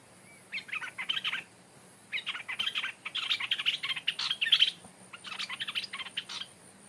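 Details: Stripe-throated bulbul, a decoy bird that has never been in the forest, taken back to the place it was caught, where a new territorial bird now lives; bursts of bright chattering, bubbling notes in groups of about a second, separated by short pauses, over a faint low hum.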